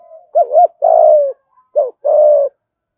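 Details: Spotted dove "gù thúc" coo in "giọng thổ" voice for luring wild doves: a wavering double hoot then a long even coo, repeated once more after a short pause.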